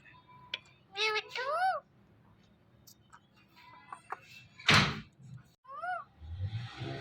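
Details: Indian ringneck parakeet uttering two speech-like phrases early on, then quieter squeaks. A loud knock breaks in midway before one more rising, talking syllable.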